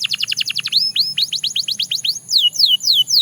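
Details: Belgian canary delivering a rapid trill of falling notes, two long upslurred whistles, another quick run of sweeps, then slower, drawn-out descending whistles near the end.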